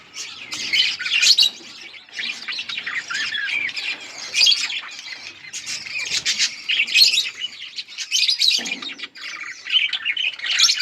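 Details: Colourful budgerigars chattering almost without pause: dense, scratchy warbles and chirps overlapping, with brief dips and quick squawky notes throughout, suggesting several birds calling together.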